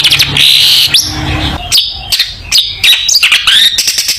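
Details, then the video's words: Long-tailed shrike singing at full volume as tutor material for young birds: buzzy rasping phrases broken by quick whistled slurs and clipped chirps, delivered in fast irregular bursts. "Burung Cendet Gacor full masteran cocok untuk masteran cendet muda Belajar Bunyi"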